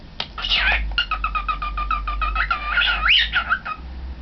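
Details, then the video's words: Young caged pet cockatiel facing a mirror, March 2012: a fast run of about twenty clipped chattering notes, then a brief rising-and-falling whistled phrase near the end, over a steady low hum. "Cockatiel in front of the mirror"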